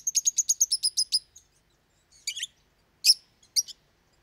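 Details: Captive lovebirds calling loudly: an even, rapid string of about ten high twittering notes, then, after a pause, several separate harsh, shrill chirps.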